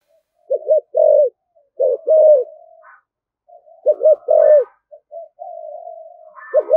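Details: Spotted dove cooing in a vigorous rustic style, repeating a phrase of two quick hooked notes and a longer low coo, trailing into soft drawn-out murmurs; faint higher chirps occasionally.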